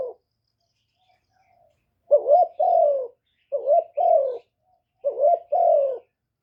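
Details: Decoy spotted dove calling to attract wild doves, recorded directly with no background noise. After a silent start come three two-part coo phrases about a second and a half apart. The first note is short and bent, the second longer and gently falling.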